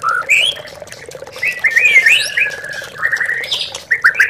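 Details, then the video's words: Song of a white-rumped shama, played as a lure to spur captive birds to sing, over trickling water: varied whistles and upward-flicking notes in a continuous, fluid flow. "MURAI BATU MANDEK BUNYI"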